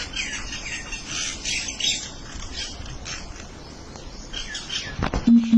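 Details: Birds chattering to one another with quick high chirps and twitters during the first half, thinning later, followed by a sharp click and a short low electronic-sounding beep repeated twice at the end.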